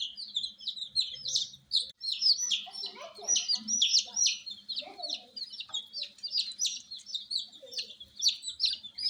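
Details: Newborn domestic chicks of a frizzle (fracas) type, just hatched, peeping loudly at night: dense overlapping high, short chirps in rapid succession, some falling in pitch, with faint low murmuring sounds in the background.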